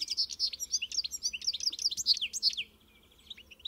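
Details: European goldfinch giving a quick run of clear, high, bouncing chirps in a rhythmic twittering phrase, then fading to soft notes.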